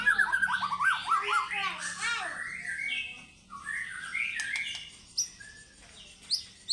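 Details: White-rumped shama song used as a lure to get fighter birds singing morning, evening and night, with ngekek material: varied whistled and chattering phrases, rapid rising and falling notes, later scattered sharp high notes, soft background murmur.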